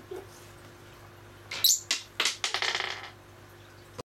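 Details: Pet Fischer's lovebird kept indoors: one sharp, shrill high shriek, then a quick run of about eight harsh, buzzy chattering pulses that soften and fade within a second and a half, followed by quiet room hum.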